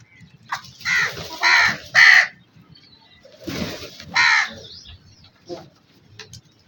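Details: Black crow giving harsh, raspy caws: three in quick succession, then a pause and two more, trailing into fainter short calls, with a low background rumble.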